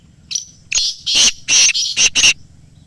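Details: Black francolin calling with a short thin lead-in note followed by five loud grating bursts that quicken toward the end. Meant for playing to captive francolins to start them calling.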